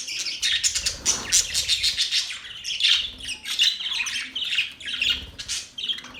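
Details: Continuous budgie chatter: dense, high, buzzy warbles and rapid chirps overlapping without pause, with brief louder peaks throughout.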